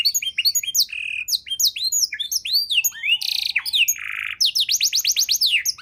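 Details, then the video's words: Canary singing a packed, richly varied tutor song for songbirds: nonstop arched whistled notes, two loud buzzy rasps, then a fast series of upward-sweeping chirps. "kenari isian mewah‼️sangat cocok untuk masteran burung abda"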